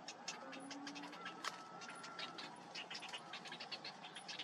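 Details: Cinnamon bittern (Ixobrychus cinnamomeus) chick being fed by its parent: a fast, uneven stream of harsh, scratchy chattering bursts, with a faint thin whistled line running through the middle and a low hum beneath.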